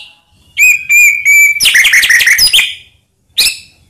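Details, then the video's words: White-rumped shama lure song meant to fire up other shamas. A long, steady, high whistle, then a fast jumble of sharp chattering notes, and finally one abrupt bright phrase after a short gap. "Murai Diam Langsung PANAS Dengar Pancingan Ini"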